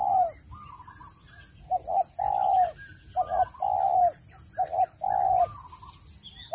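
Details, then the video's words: Low, mellow cooing of a spotted dove meant for bird trapping: double short notes followed by a longer rolling coo, repeated in close succession beneath light chirps and an unbroken electronic whine. "Tiếng chim cu gáy dùng để bẫy chim,giọng chuẩn không tạp âm"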